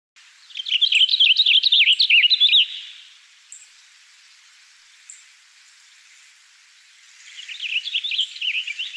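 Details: Cassin's finch (Haemorhous cassinii) song: a rich, rapid warbled jumble of high notes in one burst of about two and a half seconds, then a pause and another phrase beginning.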